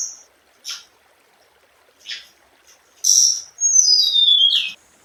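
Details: Thin high chirps spaced about a second apart lead into a bright burst and a sweet, descending chain of whistles from a scarlet minivet.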